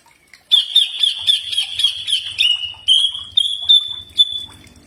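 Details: Common iora training song: a stuttering, rapidly pulsed whistle for two seconds, then several long, smooth, level whistles; faint low rumbling in the background.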